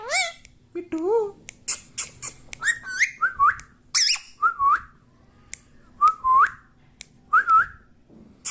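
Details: House parrot known for saying "Mummy Papa" makes squeaky speech-like sounds followed by a string of short rising whistles, each about a second apart, with sharp clicks between them.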